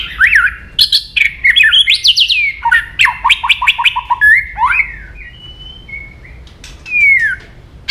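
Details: {'caption': 'White-rumped shama song used to agitate other shamas: loud, varied whistled phrases and rapid stuttering notes, fading into a few sparse, drawn-out high whistles.'}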